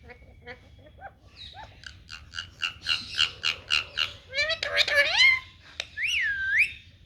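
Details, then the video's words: Indian ringneck parakeet speaking Punjabi while taking a bath: a quick run of short clipped syllables, then louder harsh squawks and a wavering whistled note near the end, over faint background rumble. "Indian ringneck parrot speaking punjabi and taking bath"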